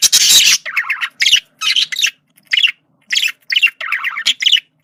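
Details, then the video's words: Male budgerigar communicating: a harsh opening squawk, then bursts of scratchy warbled chatter with buzzy trilled notes, broken by short pauses, indoors. "sonido de comunicación de periquito macho"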